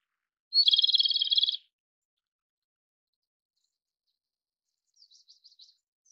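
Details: Japanese robin song: a sharp high opening note runs straight into a fast, dense rattling trill lasting about a second. A few faint high chirps follow several seconds later.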